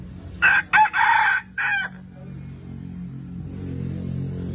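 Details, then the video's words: Crowing red junglefowl: two quick sharp notes, a longer rasping note and a short ending note in under two seconds, then a steady low rumble of background noise. "GÀ RỪNG GÁY CHUẨN 100%"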